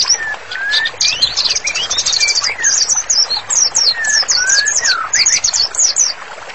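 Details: White-rumped shama singing for use in training: clear rising whistles alternate with bursts of rapid high trilled notes and chattering phrases, repeated in quick succession.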